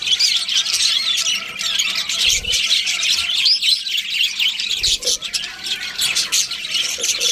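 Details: Budgies in a group keep up continuous high twittering, overlapping scratchy chirps and short warbled squeaks throughout.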